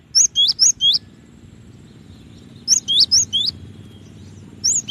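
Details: Cinereous tit singing a neat, repeated pattern of four high whistled notes, each dipping down in pitch. The phrase sounds twice, and a third one starts at the end.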